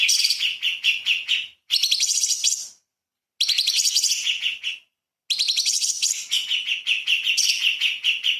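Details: Light-vented bulbul singing rapid-fire 'tembakan' phrases as a master recording for magpie-robins: four bursts of fast trills and repeated whistled notes, with short silences between them.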